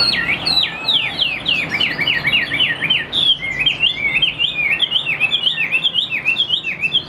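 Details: Chinese hwamei in a cage, tame and valued for fast singing, pouring out rapid zigzag whistles, a fast trill-like series of down-and-up slurred notes, then a run of looser, evenly spaced whistled notes.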